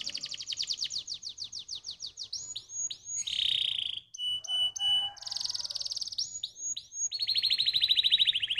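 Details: Canary singing a stimulating song meant to excite other canaries: quick repeated chattering notes, swooping slurs, a lower buzzy phrase, clipped high pips, then another rapid trill and a run of falling notes.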